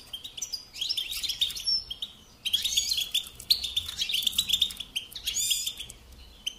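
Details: Goldfinch song as a lesson for young birds, delivered in separate lively bursts of high, liquid twitters and rolling trills, each phrase lasting about a second with brief pauses between.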